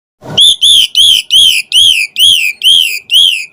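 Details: ['Asian pied starling singing continuously in a variation-filled song meant to provoke other starlings to sing: eight loud, arched whistled notes repeated about every 0.4 seconds, each rising then falling, with faint low rustling between them.']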